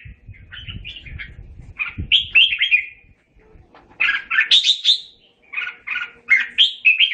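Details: Red-whiskered bulbul singing to call the flock, with bursts of bright warbled chirps and sharp whistles separated by short gaps, faint low rumbling noise early on.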